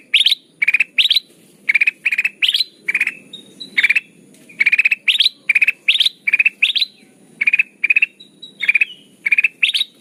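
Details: Lure recording of sooty-headed bulbul for bird trapping: a long run of buzzy pulsed bursts, each a quick rattle of several notes, with an occasional thin whistle, packed closely over ten seconds; soft background hum.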